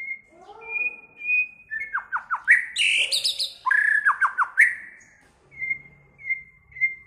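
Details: White-rumped shama singing many voices: clear level whistles, a rising whistled slur, then a dense loud passage of downslurred notes and harsh, buzzy high bursts, closing with three short flat whistles spaced about half a second apart.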